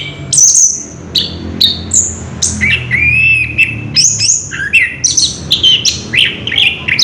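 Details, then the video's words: Orange-headed thrush in continuous rolling song, recorded 3 March 2016: fast, varied run of high whistled phrases, sharp chips and slurred notes, some rising and some falling, with brief pauses between bursts and a faint low hum behind. "Burung Anis kembang ngerol edan luar biasa"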